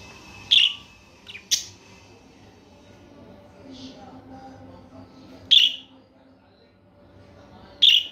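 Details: Single bright chirps from a budgerigar, repeated irregularly every few seconds with quiet gaps between, plus a couple of fainter notes.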